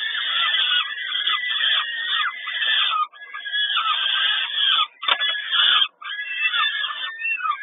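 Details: Peregrine falcons being fed at Kawęczyn on 10 May 2022: continuous harsh, raspy begging screeches overlap in a busy chorus, broken by short gaps and a sharp click-like noise midway.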